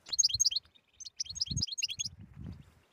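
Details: A European goldfinch in 'btbta' song style, played to encourage silent birds to sing: fast, chattering high-pitched twitters in two close bursts, with faint low bumps beneath.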